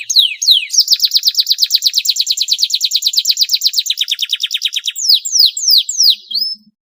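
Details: Long, lavish canary song meant to encourage lazy canaries to sing: a few sweeping whistled notes open into a fast, even trill of repeated notes, ending with loud descending slurred whistles.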